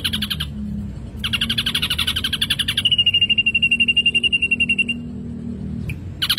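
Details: Ashy drongo lure song with rich mimicry: short buzzy bursts, then a long raspy chatter smoothing into a quick, evenly pulsed high whistle, ending with a click and a brief buzzy snatch.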